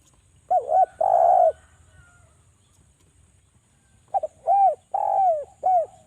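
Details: Lure call of a Javanese spotted dove to prompt doves to call. A double note and a long level coo, then silence, then a second phrase of stuttered notes, arched coos and a falling coo.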